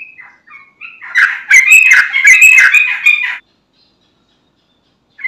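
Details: Lure song of an energetic yellow-vented bulbul meant to trigger replies from other bulbuls: soft introductory notes, then roughly two seconds of loud, rapid, scratchy warbling that stops abruptly.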